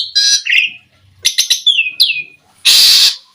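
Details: Asian pied starling song used as a lure to prompt starlings to sing. Brief harsh chatter, a falling whistled slur and clicking notes, ending in a loud rasping burst.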